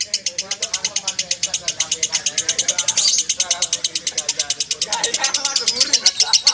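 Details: Prize-winning lovebird delivering a rapid, unbroken string of shrill, high chirps at a steady pace, while people talk quietly in the background.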